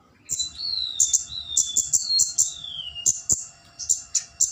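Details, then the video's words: Busy flowerpecker calling used as a lure to draw a rival: rapid, piercing high ticks in irregular clusters, with a thin whistle that slides gently downward through the first three seconds. "Pancingan burung kemade cabe-cabean GACOR NGALAS memanggil lawan"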